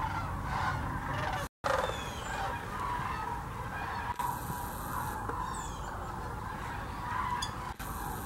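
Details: Sandhill cranes in their thousands, visiting Hiwassee Wildlife Refuge, Birchwood, Tennessee on migration; an unbroken mass of rattling calls with a few clearer rising notes, interrupted by a short dropout and occasional clicks.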